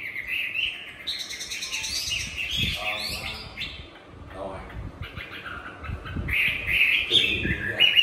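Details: Tamed caged Chinese hwamei in Hanoi, Vietnam, singing a fighting-style competition song: bright varied whistled phrases at the start and end, quieter and broken in the middle, with faint low thumps.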